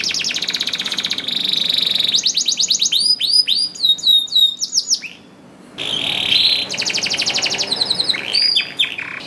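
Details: Canary song meant to coax hesitant canaries to sing: rapid rattling trills, looping whistled swoops, a brief silence, then more trills and swooping notes.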